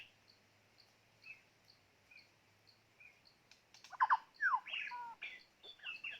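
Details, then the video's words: White-rumped shama kept as a decoy bird: faint soft chips at first, then a sudden loud run of varied, sweeping whistles and rapid slurred notes. "ต่อนกกางเขนดง ตัวนี้สุดยอดจีงๆ"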